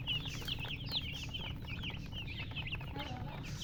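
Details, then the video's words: Many baby chicks chirping together, quick falling peeps packed closely in an unbroken chorus, one louder squeak near the first second, soft lower clucking sounds briefly near the end, constant low hum beneath. "Witty MURGI Baby "Chicks Chirping" Sound"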